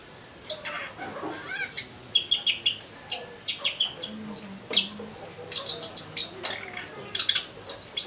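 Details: Eurasian tree sparrow calling vigorously, clusters of short bright chirps repeated in quick bursts, some thin high notes between them, against faint background noise.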